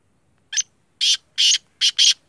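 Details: Black francolin giving a single harsh rasping phrase of five buzzy notes, a short clipped first note then longer grating ones, the final pair run together.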